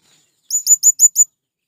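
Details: Male blue-crowned hanging parrot calling to its companions to draw in wild birds: a single rapid series of five sharp, high-pitched chirps, evenly spaced, with no other sounds.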